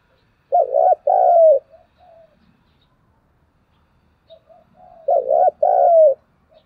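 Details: Spotted dove used as a decoy, calling to stimulate wild doves. The same mellow phrase is heard twice: a rolling double coo, then a long coo that slides down, each followed by soft trailing notes.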